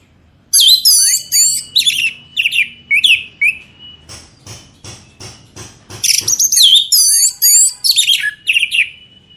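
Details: Orange-headed thrush song, used as a lure to get birds singing loud 'ngeplong' style: rapid bursts of complex high whistles and twittering phrases, interrupted midway by a series of sharp clicking knocks before the singing resumes.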